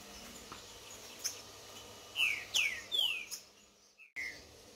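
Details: Green-winged saltator kept for song tournaments, singing in woodland against a wild rival; one phrase of three sharp downslurred whistles followed by a brief higher note, with faint background hiss.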